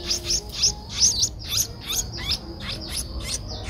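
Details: An 11-day-old Streak-eared Bulbul chick in Ubon Ratchathani, Thailand, 13 April 2023, gives a rapid series of thin, high, downslurred cheeps, about two or three a second, loudest early then fading slightly.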